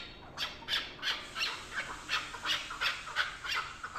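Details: Chukar partridge, a hunting bird, calling: harsh, clipped chuk notes repeated about three times a second in a fairly steady rhythm, over a low background hiss.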